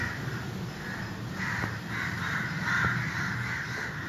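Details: A flock of crows calling to one another, cawing harshly in overlapping rasping bursts that swell louder toward the end, over constant low background rumble.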